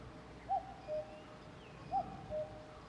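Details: Common cuckoo calling from a distance: two clear, soft cuckoo phrases, a higher note dropping to a lower one, repeated about every one and a half seconds over faint background hiss.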